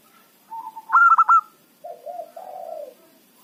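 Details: Zebra dove of local origin, a loud small-voiced lure bird for catching wild doves: a soft coo rising into a rapid stuttered burst, followed after a pause by lower, rolling, downward-sliding coos.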